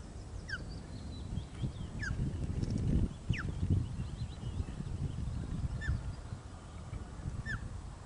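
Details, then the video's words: Osprey at the Loch of the Lowes nest, 1 June 2013, 13:26, while the chick is fed for the first time: a series of short, downslurred whistles every second or two amid loud low rumbling and knocking. "Loch of the Lowes Ospreys 2013 - 1 June 13.26hrs - First Feed for Chick"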